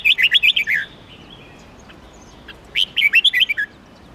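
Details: Red-whiskered bulbul singing melodiously: two bursts of about six quick, slurred whistled notes, each burst under a second, separated by a quiet pause.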